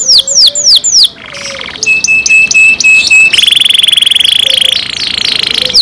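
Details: Loud song from a cared-for canary: descending whistled notes, a short buzzy roll, a steady run of sharp clipped notes, then a long fast high trill.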